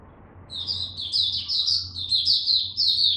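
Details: Buka song from a caged Oriental white-eye, first day of a supplement test: a continuous, rapid, high twittering warble of slurred notes, close and clear, over a constant low hum.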